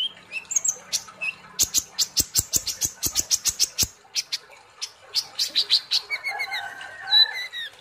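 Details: Sunbird (kolibri ninja) in gacor, ngobra song: a long fast series of crisp high chips about five per second, ending in warbled whistles that slide downward.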